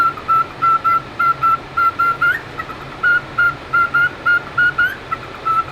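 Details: A young cockatiel hatched in November 2023, recorded up close, gives a quick series of clear, steady whistled chirps, several each second.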